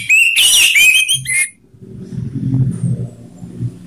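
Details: Orange-headed thrush song phrase for training kept birds: a quick tumble of whistled and buzzy notes lasting about a second and a half, followed by low background noise.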